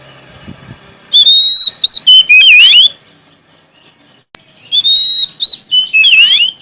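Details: Sumatran Oriental magpie-robin in full song, seeking a rival: two bursts of loud whistling, each opening with a sustained clear note followed by quick downslurs and a twisting, scratchy flourish, separated by a quiet gap.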